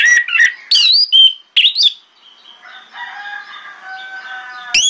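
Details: Morning lure song of an orange-headed thrush to prompt replies from other thrushes: loud, quick, swooping whistles for about two seconds, then faint background calls and soft steady tones.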